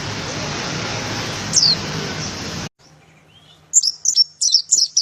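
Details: Dakun oriental white-eye as master song for training cage birds: loud hiss with one high slurred note, then after a break a row of sharp high chirps repeated about every third of a second.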